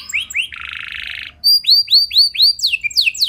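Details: Canary singing to rouse other canaries into long rolls: a few downslurred notes, then a dense buzzy rattle for about a second, followed by bright descending sweeps and sharp high chips.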